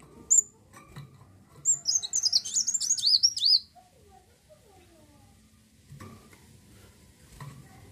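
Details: Olive-backed sunbird (kolibri wulung) lure song for setting off other birds: after a single sharp note, a quick, high twittering phrase of slurred whistles runs for about two seconds, then soft background noise and faint knocks.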